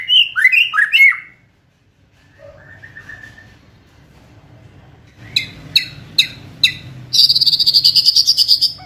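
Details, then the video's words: White-rumped shama in fierce kretekan style, aimed at provoking other birds to sing: a burst of loud tumbling whistles, a quiet gap with soft notes, then sharp repeated clicks and a rapid, high buzzy rattle. "Kretekan Gahar MURAI BATU GACOR ini untuk memancing Emosi dan mempercepat Ngeplong"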